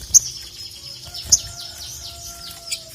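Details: Ruby-cheeked sunbird (sogon) song used to call a rival: a series of very high, thin, downslurred notes given about twice a second, with two sharp clicks and a faint steady lower whistle behind.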